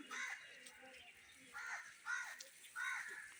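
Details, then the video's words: A pet Indian ringneck (rose-ringed) parrot, a talking bird, gives four short, harsh, voice-like phrases about half a second to a second apart, mimicking speech, over quiet room background. "My funny talking parrot | Indian ringneck parrot"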